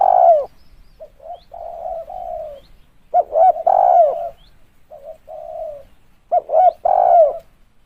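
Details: Spotted dove coos for luring: a loud falling coo opens, then phrases return every three seconds or so. Each has faint short notes, a stuttering pair of hoots and a strong, throaty, downward-sliding coo.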